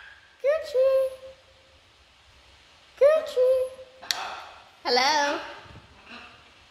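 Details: A talking pet macaw imitates speech: two matching word-like phrases about two and a half seconds apart, then a harsh syllable and a longer warbling utterance, in a quiet room; "hello" and its name follow.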